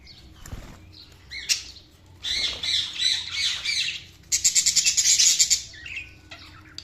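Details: Budgerigars chirping: bursts of high, scratchy warbling chatter, with a run of rapid, evenly pulsed squeaky notes near the end, separated by brief quieter gaps.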